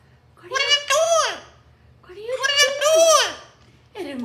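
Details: Jealous caged-home Amazon parrot wailing as another parrot gets touched by its owner; long arched, sob-like cries in a slow series, one more starting at the end.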